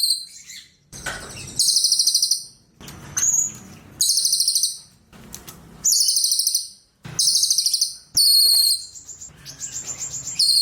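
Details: Cililin song delivered as a run of high, metallic, buzzy trills, about one every second or two, some short and clipped, others longer and steadier.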